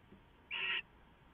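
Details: At 6:04 AM on 15 March 2014 an owl gets leftovers on a live cam, giving a single brief rasping hiss-screech, broad and noisy, over quiet background hiss.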